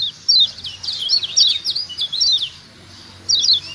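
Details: Rapid twittering from a kecial kuning, a Lombok white-eye, used to stir lazy birds into calling: one sharp descending chirp, then a continuous tumble of high quick notes for over a second, a pause, and a final chirp pair.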